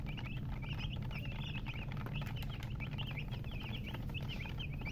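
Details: Chicks chirping together, bright short high-pitched peeps in rapid clusters, with a droning low background noise underneath.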